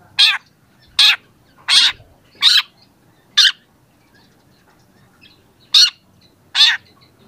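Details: Young long-tailed shrike singing for a training recording: spaced harsh, rasping chack notes, some doubled, with short pauses between, one longer gap before the last two.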